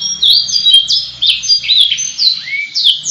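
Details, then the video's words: Canary singing its long, ornate gacor song: a dense run of high twittering whistles, short trills and a distinct upward-sweeping note near the end, loud and lively throughout with a faint low hum behind. "kenari gacor panjang cengkok mewah"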